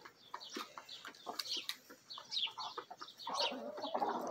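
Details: Backyard hens and a mixed Bielefelder and Marans rooster feeding together; quick high chirps and soft clucks overlap, a denser murmuring cluck building near the end.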